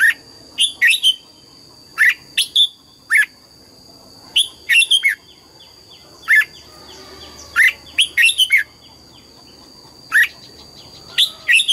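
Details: Busy morning song from a red-whiskered bulbul in forest-style double notes: many short, sharp whistled phrases, often paired or tripled, tumbling every half second to a second, with a high continuous tone underneath.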